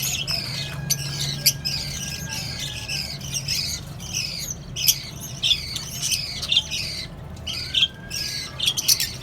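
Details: An aviary colony of lovebirds, cockatiels and budgerigars: dense, overlapping high chirps and sharp squawks every second or so over a low, steady hum.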